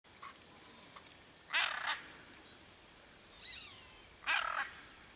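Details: Hyacinth macaw foraging for coconuts and seeds in riparian forest; two harsh, rasping screeches about three seconds apart, rather distant, with faint thin bird notes and a steady background hiss.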